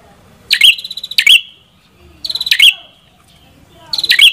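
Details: Red-headed prinia uttering high rattling bursts that close on a sharp accent, three to four phrases separated by short quiet spells.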